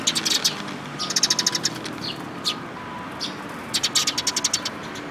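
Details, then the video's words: Sparrow parents and chicks, 19 May 2018, giving rapid rattling series of high cheeps in several bursts, separated by a few single chirps, over steady background noise. "可愛いすずめ達 20180519（親鳥と雛）"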